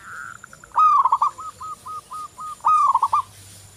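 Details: Zebra dove of local stock in song, used as a lure: a fast rolling coo followed by a steady run of seven short hooked coos, then another rolling phrase, with a soft distant coo at the start.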